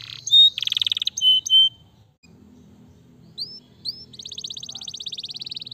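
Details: Canary singing to set lazy canaries going: short loud high buzzy bursts and whistles, a silent gap, two rising chirps, then a long, fine, rapid high trill.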